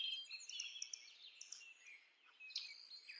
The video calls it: Red winged blackbird Sound